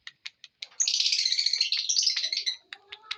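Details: Lovebird giving a few short sharp chirps, then a dense, loud, scratchy chattering burst lasting nearly two seconds, trailing off into scattered chirps.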